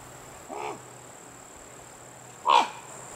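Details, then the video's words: Spruce grouse, one of three birds (male, female and juvenile) feeding in fall in the boreal forest of Algonquin Provincial Park, Ontario; two short arched calls about two seconds apart, the second louder, over a steady faint high hum. "Spruce Grouse"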